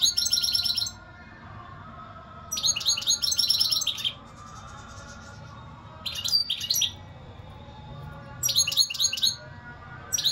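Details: European goldfinch song in repeated bursts of rapid, high, liquid twittering and trills, four phrases of one to one and a half seconds each, separated by pauses, over a soft steady hum.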